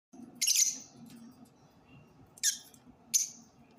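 Lovebird giving three harsh, screechy chirps, the first longest, spaced about two seconds apart over a low indoor hum.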